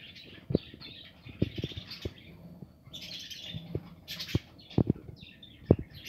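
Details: Aviary flock of nesting budgerigars chattering in bursts of warbled, squeaky chirps, many birds overlapping, punctuated by loud clicks and taps of perches or cage wire.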